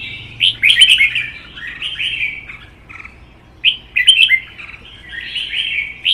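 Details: Red-whiskered bulbul goaded into duel singing: two strong phrases of rolling, chirpy warbles about three seconds apart, each ending in quieter dropping notes, with a low electrical hum beneath.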